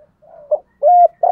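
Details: Lure spotted dove cooing in thúc gù fashion to stimulate wild doves: soft low humming, then short, steady, low mellow coos in close succession; otherwise quiet.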